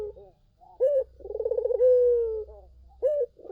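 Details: Collared dove song used as a lure to draw other doves: a short clipped coo, then a long pulsing, rolling coo that slides gently downward, then another short clipped coo, all low and mellow.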